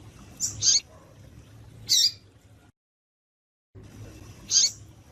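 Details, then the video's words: Female double-collared seedeater calls for exciting males: a few brief, high, scratchy chips about two seconds apart, interrupted by a second of silence. "Piado de Fêmea de Coleiro para Esquentar Coleiro Com Coleiro tui tui"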